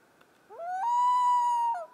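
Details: Common loon calling in the Boundary Waters Canoe Area, captured with a Canon T2i: a rising note climbs into a long, steady, pure wail held about a second, then drops away, over faint hiss.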